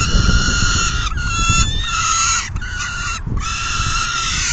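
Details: Peregrine falcons feeding at the nest, 10 June 2022, 4:08 PM; prolonged tonal wailing in several long stretches separated by brief pauses, with strong low-frequency rumble throughout.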